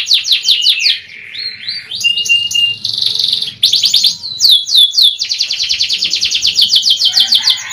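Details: Young canary in a lure recording, its song loud and varied: fast repeated descending notes around high pitch, a steady whistled tone, buzzy trills and long rapid rolling phrases, no other sounds clear.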